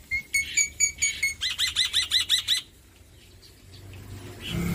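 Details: Male black-winged myna, a bird endemic to Indonesia, singing loudly: a few sharp high notes repeated, then a fast run of about ten evenly spaced arched notes, followed by near silence and a low rumble.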